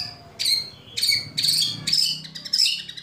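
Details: White-rumped shama giving harsh, crackling 'shot' calls meant to provoke rival shamas into song: four or five grating, noisy bursts in quick succession over a faint low hum.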